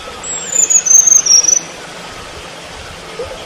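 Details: Selendang biru bird calling in the wild: a run of very high, thin whistled pulses for about a second, stepping slightly lower, then quiet hiss with one faint later note.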